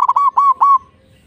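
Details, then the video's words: Local zebra dove song, played as a lure to make other doves sing: three short, mellow cooing notes near the same pitch, the last drawn out and fading, with quiet rumbling in the background. "Pancingan Ampuh Perkutut Lokal Gacor"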